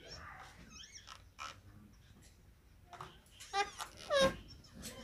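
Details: Rose-ringed parakeet busy playing and feeding: quiet chatter and soft notes first, then several sharp, falling squawks in quick succession toward the close.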